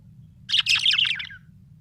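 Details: A happy pet budgerigar chirping: a dense burst of warbling, buzzy chirps lasting under a second, steady low hum underneath.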